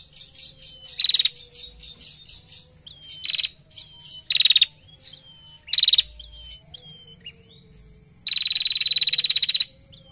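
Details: Female bar-winged prinia in long chattering ngetir song: high, dry bursts of rapid ticks, some long and dense, alternating with thin sliding whistles and faint high chirps behind, separated by short quiet gaps.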